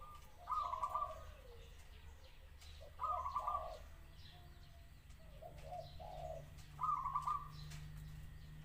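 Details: Zebra dove song: short, rapid, rolling coo phrases repeated roughly every three seconds, softer notes between them, with a constant low hum behind.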